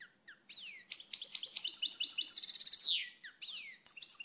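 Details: Song of a European goldfinch, a rapid liquid twitter of slurred downward notes building into a dense trilled run and a buzzy falling finish, followed by a few loose chirps.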